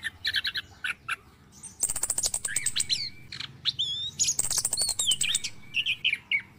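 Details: Morning orange-headed thrush lure song for caged birds: clusters of sharp chips, two long rattling trills, and interleaved clear whistled phrases in a busy, continuous stream.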